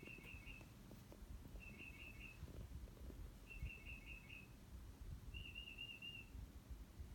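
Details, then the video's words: Bird calling outside a window, making many different noises: short high trills repeated about every one and a half seconds, the last one longer and more rattling, over steady low background rumble. "Bird making all the bird noises"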